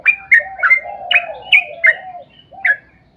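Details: Sooty-headed bulbul song used as a lure to make other bulbuls sing; a quick series of bright, falling whistled notes that trail off, with a drawn low whistle running beneath.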